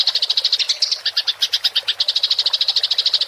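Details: Clearly recorded fighting house sparrow in rolling chatter, used as songbird tutoring: a rapid, rhythmic string of sharp high chirps, around eight per second, continuing through the whole three seconds.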